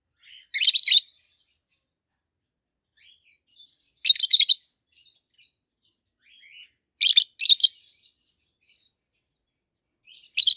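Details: Peach-faced lovebird pair, healthy green adults in captivity, one red-faced, calling with loud, raspy chirps, single or doubled, roughly every three seconds, with quiet squeaks between.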